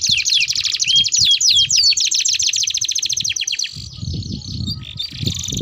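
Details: Domestic canary with a long rolling song used as a lure and for tutoring young canaries: rapid high rolling trills and whistled notes pouring continuously, then a short pause and further high notes over low background rumble.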